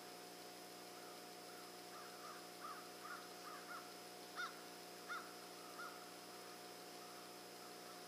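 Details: Several turkeys brawling on a Sunday: a run of short, hoarse, mid-pitched calls repeated irregularly about once a second, two louder sharper notes near the middle, over a steady background hum.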